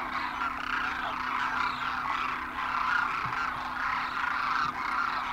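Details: Demoiselle cranes, also called Koonj, a migratory flock of thousands landing at a water hole in Khichan, Rajasthan, India, in winter after crossing the Himalaya; a dense continuous chorus of overlapping rolling, trumpeting calls with a steady low hum underneath.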